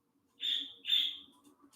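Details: A parakeet, a female found in the backyard and kept indoors with guinea pigs, gives two harsh, raspy chirps about half a second apart over a faint low indoor hum.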